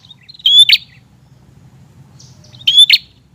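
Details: Two loud prinia phrases about two seconds apart, each a thin high whistle sliding into a dry, buzzy chatter, from a persistently singing bird used as a lure for newly caught birds; soft low hum underneath.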